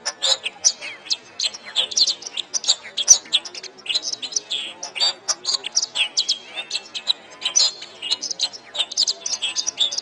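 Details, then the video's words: Canary chattering nonstop in a master recording meant for training songbirds: rapid sharp high notes, short trills and thin whistled slurs packed densely throughout, over a clean quiet background. "SUARA MASTERAN - Ocehan Burung Kenari"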